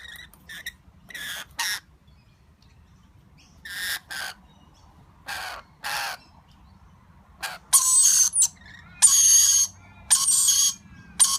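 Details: Lorikeet chick with its parents at feeding time, starting with paired short raspy notes and building to longer, louder harsh screeches near the end, about fifty calls a minute.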